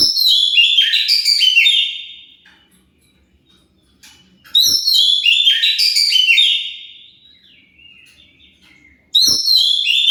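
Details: Oriental magpie-robin song used as a lure to provoke other birds to answer: loud bursts of rich whistled, rapidly varied high notes, each phrase about two seconds long, separated by silent pauses, with a thin whistled tail after the second burst.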